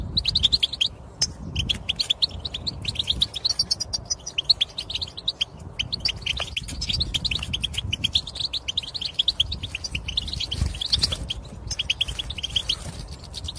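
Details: Long run of goldfinch twittering used to prompt males to sing: rapid, liquid, high chirps and buzzy trills continue steadily over a low rumbling background hum.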